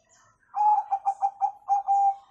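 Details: Zebra dove of the Bangkok type giving its 'kung' song, meant to prompt young birds to sing: a crisp run of rapid mid-pitched coo pulses, five quick beats ending in a longer steady note, no other sounds.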